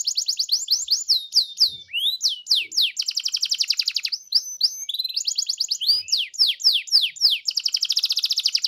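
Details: Canary song used to coax a canary into singing: varied phrases of quick downslurred whistles, rising sweeps and dense rapid trills, rattling along nearly without pause, closing with a buzzy roll.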